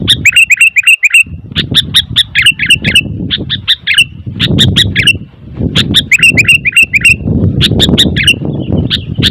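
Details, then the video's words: Restless, noisy sooty-headed bulbul delivering rapid runs of sharp chirps, several per second, in dense bursts with brief gaps, over a continuous low rumbling background. "Suara Burung Kutilang ribut"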